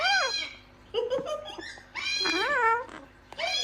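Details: Talking gang-gang cockatoo giving three speech-like bursts, each a rich harmonic phrase with a rising-then-falling inflection, separated by quieter pauses.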